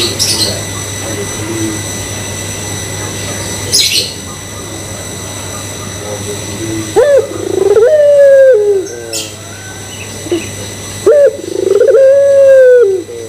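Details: Barbary dove (puter pelung) coo used as a lure to stir other doves into cooing: faint high chirps and rustling first, then two long, rising and steady coos, each opened by a sharp upward note, several seconds apart.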